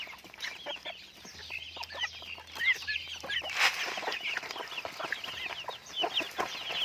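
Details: Raised chickens give crowded, high-pitched peeping, many short arched notes overlapping, with a loud rustle midway and a faint low hum in the background.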